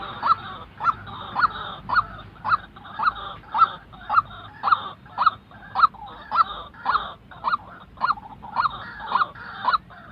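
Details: White-breasted waterhen giving its call, a real bird recorded for training decoy birds in trapping; a long steady series of hoarse upswept notes, about one every half second, around seventeen in all.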